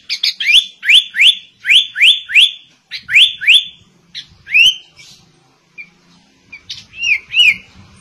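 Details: Shama-style song from a sooty-headed bulbul: a fast series of bright upward-sliding whistles, paired and repeated, then a pause with scattered short notes and a few dipping whistles.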